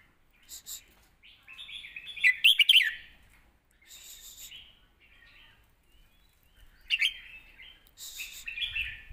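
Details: Red-whiskered bulbul in a cage delivers its southern master-style point-scoring song, meant as a model for young birds: rich, tumbling warbled bursts separated by quieter pauses, with scattered clicks.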